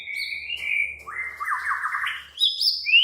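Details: Agitated white-rumped shama delivering a continuous stream of whistled song, with a long sustained note, a buzzy trilled section and a sharp rising whistle at the close.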